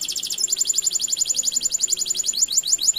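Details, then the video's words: Canary in strong song, a long roll of chirping: fast, high notes around a dozen a second in one continuous trill with no other sounds. "kenari CUIT CUITAN ngerol panjang Gacor dorr seketika kenari manapun pasti respon"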